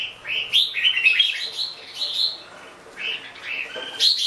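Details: Red-whiskered bulbul singing: short warbled phrases of rising and falling whistled notes, some with a sharp upward flick, coming in bursts separated by brief pauses, with a faint steady low hum behind.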